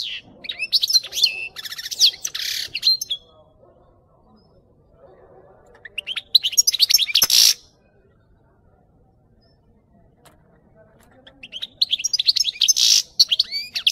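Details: Goldfinch training song with three long bursts of dense high twittering, buzzy trills and chirps, separated by quiet gaps with faint low murmuring.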